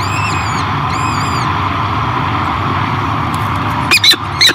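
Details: Peregrine falcon hatchlings being fed by their mother at Great Spirit Bluff in 2023: two high, quivering peeping bursts early, a quiet stretch of hum, then several loud abrupt harsh calls at the close.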